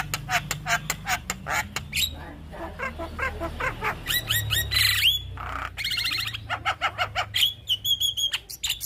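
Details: Javan myna singing energetically in a recording for training young birds: rapid rattling clicks, harsh screechy outbursts and several clear whistled upslurs, varied and nearly nonstop, with a low rumble underneath.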